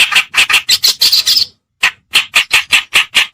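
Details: Reed warbler, white- or black-browed, from a lure recording used to attract birds: quick harsh chattering notes with a squeaky upper edge, a brief pause, then a steady run of rasping calls.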